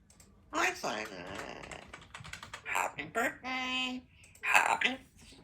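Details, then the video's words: A young female African grey parrot practises her words in an office in the afternoon, chattering in speech-like bursts with one steady, nasal held tone while computer keys click in a small room. "the African Grey Parrot hangs out in dads office and practises her words"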